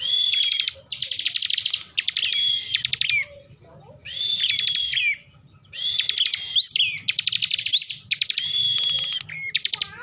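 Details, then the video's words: Caged ciblek, the bar-winged prinia, from Tegal in Central Java, singing in emotional 'ngebren' style: repeated one-to-two-second bursts of dense high buzzy trilling mixed with thin upslurred whistles, separated by brief gaps, over quiet background noise. "kicauan ciblek ngebren emosi"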